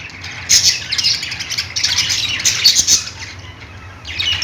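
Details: Budgerigars chirping: bursts of high, scratchy chatter and squawks in dense overlapping flurries, with short quieter gaps and a low steady hum beneath.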